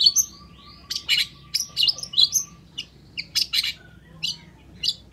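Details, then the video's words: Long-tailed shrike in energetic, constant song: a rapid string of harsh, scratchy chirps and short high squeaky notes in bursts, separated by brief pauses, with a faint steady low hum underneath. "SUARA CENDET GACOR"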